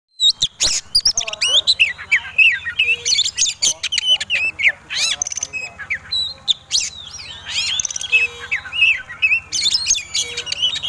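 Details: Oriental magpie-robin, a fighting bird in display, singing persistently as a lure to provoke other birds: rapid varied whistles and sharp slurred notes with loud clicking bursts, over a low steady hum.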